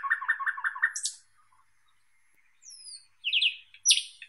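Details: Thrush nightingale song: a run of rapid, throaty repeated notes, then a pause, followed by high whistled sweeps and sharp clicking phrases.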